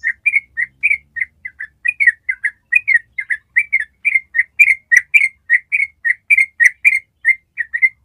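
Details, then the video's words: Yellow-vented bulbul singing a long ropel, used to prompt other birds to copy it: rapid, even procession of fluty slurred notes, each rising or dipping, flowing without pause. "SUARA TRUCUK ROPEL PANJANG"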